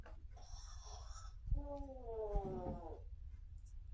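A grey parrot gives a thin, high squeak, then a drawn-out, voice-like call that slides downward over about a second and a half, against a low indoor hum.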